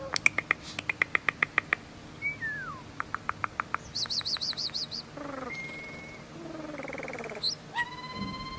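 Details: Common starling singing a long, varied medley: a fast series of dry clicks, a slurred descending whistle, rapid buzzy high warbles, a flat sustained whistle and harsh rattles, closing with a rising pure whistle over a faint low hum.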